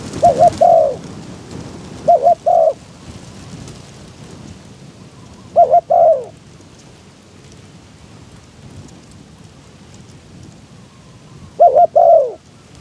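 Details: Decoy spotted dove luring wild doves while strong wind blows; four spaced phrases over thirteen seconds, each a short double coo and a falling longer coo, with constant windy hiss between.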